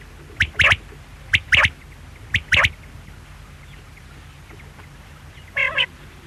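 A quail gives three sharp, paired notes about once a second: a quick click, then a harsh burst. A single nasal, harmonic call ends the sequence.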